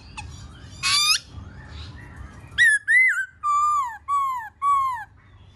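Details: Black-throated laughingthrush song, for stimulating caged birds: a loud buzzy harsh note, then a series of five clear whistled, downslurred phrases about half a second each, with faint background hum.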